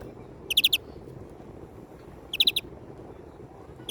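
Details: European greenfinch repeating tight clusters of three or four quick, ringing notes about every two seconds, the last cluster cut short at the end.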